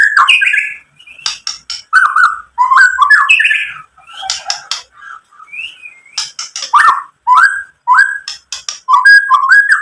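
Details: Loud white-rumped shama song meant to provoke other shamas: harsh squawky slurred notes and lower whistles alternating with rapid sharp clicks, delivered in uneven bursts with brief silences.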